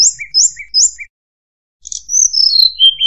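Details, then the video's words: Tledekan gunung lure song for trapping: three quick paired chirps, a pause, then a twittering run of high notes sliding downward into a clear whistle. "suara pikat MP3 tledekan gunung"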